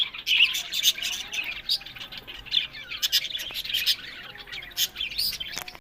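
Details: Budgerigars kept for breeding in Larkana, Sindh, giving bursts of shrill chirps and clicky squawks that come in loud pulses, with quieter twittering between them.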